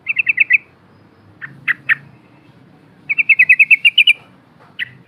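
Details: Yellow-vented bulbul used as a lure: a rapid run of bright chirps, a few sharper downslurred notes, then a longer rising string of quick notes ending in more sharp calls.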